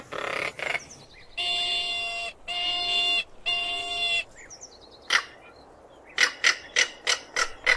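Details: Three harsh, grating calls from a crested caracara come in quick succession. They are followed by a run of short, dry, clicking notes, loosely spaced at roughly three per second.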